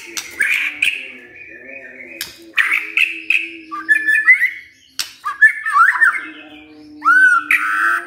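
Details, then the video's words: White-rumped shama, a silent bird that bursts into vigorous song on hearing a lure recording. Varied, loud whistled phrases with swooping and rising notes, interspersed with sharp clicks, over a low steady tonal hum. "Murai DIAM Tersentak NYAUT GACOR Dengar Pancingan Murai ini"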